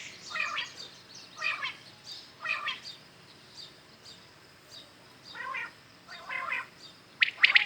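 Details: Common quails heard in the morning, giving a series of low, hoarse, mewing double notes roughly once a second, ending with a crisp rapid triple-noted call.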